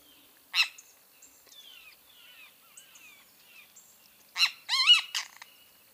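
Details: Great kiskadee: a sharp burst early on, then a loud sequence of buzzy bursts and a clear arched, harmonic-rich note near the end, over soft twittering from other birds.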